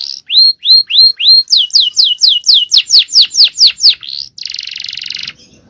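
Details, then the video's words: Male canary in strong song: rising swept notes, then a run of repeated downward whistles, ending in a buzzy rolling trill. "Aksi Kenari||Cengkok Jawara||Full Power Canary Action||Cengkok Champion"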